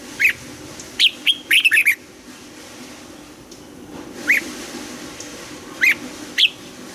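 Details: Morning training song of a Red-whiskered bulbul in Vietnam, forest-aged double-note style: one quick cluster of sharp whistled notes, then isolated upslurred single whistles spaced about a second apart over a faint hum.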